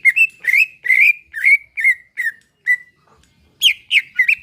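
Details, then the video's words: Greater green leafbird, relaxed-style song for prompting caged birds to sing: rich whistled notes with slight rises and falls, about two per second, a short pause, then three sharper descending whistles. "Ampuh buat pacingan cucak ijo agar bunyi || lantunan santai"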